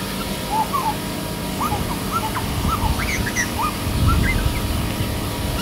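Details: A grey butcherbird that sang for five to ten minutes gives a string of short, liquid whistled notes rising and falling between low and high pitches, over a steady low rumble of traffic.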